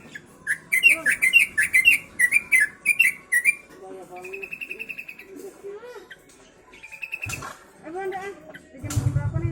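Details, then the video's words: Yellow-vented bulbul singing with sooty-headed bulbul phrases mixed in: a rapid run of bright chirpy notes repeated about twice a second, then softer warbled phrases, a sharp click and low thumping noise at the end. "Burung Trucuk isian kutilang"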